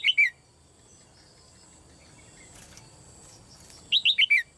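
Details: Female red-whiskered bulbul calling in a cage to stimulate others to sing, giving a brief pair of high chirps, then after a long pause a crisp four-note descending chirp series.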